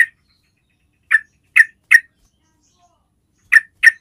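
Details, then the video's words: Yellow-vented bulbul basic call used to lure other bulbuls into answering: short harsh chattering notes, single or in quick pairs, spaced irregularly across four seconds against complete silence. "SUARA PANGGILAN DASAR SEMUA JENIS TRUCUK"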